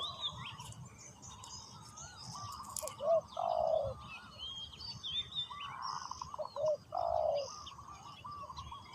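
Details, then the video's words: A decoy spotted dove calling to lure wild doves gives two low, hollow cooing phrases about three seconds apart, with busy high chirping from other small birds throughout. "chim cu mồi gáy gọi bổi"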